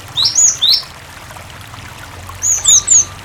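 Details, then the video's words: Cinereous tit singing to coax other tits into song: two short bursts of three high, squeaky, slurred notes each, with a quiet gap between and soft running water throughout. "Masteran suara Burung Gelatik Batu gacor sangat ampuh pancingan gelatik berkicau"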